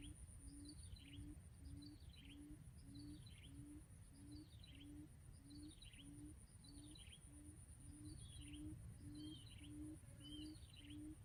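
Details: Decoy quail call played to trap quail: low, short hoots repeated regularly about every 0.6 seconds, overlaid by sharp, descending high chirps, with a constant high whine and low background rumble throughout.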